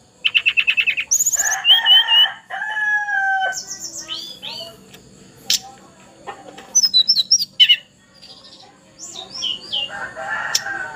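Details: Spotted young hill blue flycatcher singing a lot: a quick trill, wavering whistles, bursts of high twisting notes and chips, with steady tonal sounds between phrases.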